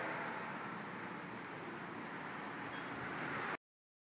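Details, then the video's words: Escaped pet Cuban bullfinch loose in the wild in Miami after its cage fell in the wind gives thin, very high trilled and buzzy phrases, one loud sharp note near the middle, over a steady hiss. "Negrito cubano suelto,Se me escapo mi negrito.Cuban bull finch in the wild."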